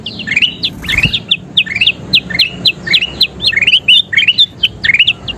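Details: Golden kutilang bulbul, recorded for training caged songbirds, delivers quick high chirps and twisting whistles about four a second, with one soft thump near the start.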